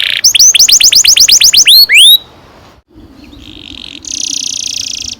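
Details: Canary song for training young canaries to sing: a quick run of about a dozen sharp, downward-sweeping whistles ending in two longer rising notes, then a gap filled with a steady high hiss.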